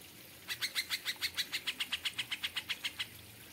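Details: Cucak ijo (Greater Green Leafbird) in an aviary, kapas tembak song: harsh, raspy chattering notes repeated evenly about six times a second for two and a half seconds.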